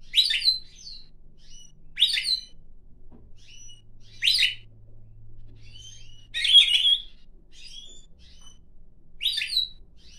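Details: Hand-tame pine grosbeak singing indoors on its owner's hand and head: repeated short high warbled phrases roughly every two seconds, with soft whistles between and a faint low hum in the middle.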